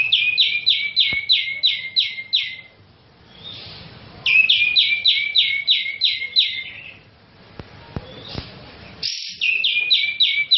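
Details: Cream-vented bulbul, a national champion songbird used as a master tutor, singing fast repeated series of bright chirping notes, about eight per burst, in three loud runs separated by brief pauses with faint background noise.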